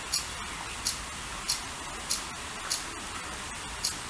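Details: Great spotted woodpecker (Dendrocopos major) chick, 19 May 2016, giving thin, very high squeaks, seven in four seconds at a fairly even pace, over a steady hiss.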